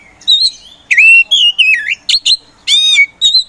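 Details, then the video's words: A poci-type Oriental magpie-robin kept as a provoker bird sings loud, rich phrases: long bending whistles that dip and rise, short sharp notes, and a buzzy, harmonic-laden rasp before a final clear whistle. "KACER POCI GACOR SANG PROVOKATOR || LELET SUSAH BUNYI SEKIAN DETIK LANGSUNG GACOR AWOR AWOR"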